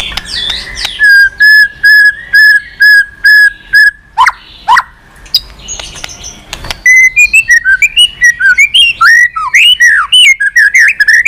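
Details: White-rumped shama used to provoke singing: a steady train of clear, level whistled notes, a pause with clicks, then a fast, varied warble of sliding whistles.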